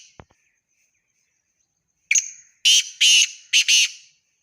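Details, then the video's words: Black francolin calling: after a quiet start, a loud harsh rasping series of four grating notes, the last three clustered closely together, with a brief click early on. "Teetar ki awaz,Teetar ki awaz subhan teri qudrat,kala teetar voice,black froncoline voice"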